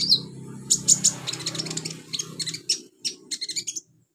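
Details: Olive-backed sunbird song for training young birds: rapid high, sharp chirps and thin whistles repeated in quick bursts over a low background rumble.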